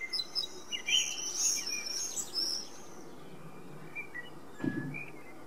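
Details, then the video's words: Common blackbird (Turdus merula) sings a three-second burst of high, squeaky, twittering notes, then falls quiet; a dull low thump follows near the end. "Zpívající kos - Singing Blackbird"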